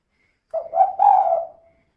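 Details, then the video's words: Female spotted dove calling in the kuk-2 style, kept as a lure to prompt other doves: a single soft, slightly rough cooing phrase with a rising start and a longer drawn-out ending note. "Suara Burung Tekukur Betina Gacor Kuk 2 Untuk Pancingan Biar Cepat Bunyi"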